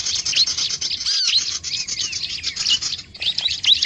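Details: Lure calls of bar-winged prinia meant to make other birds gather: dense high chirps, some looping downward, tumbling together almost without pause, with a brief gap near the end.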